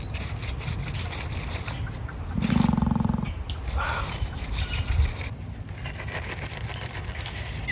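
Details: Emu at an animal park giving a snorting, dinosaur-like sound: a loud, low, rapidly pulsed grunt lasting about a second, then a fainter second burst, over steady low background rumble and scattered clicks.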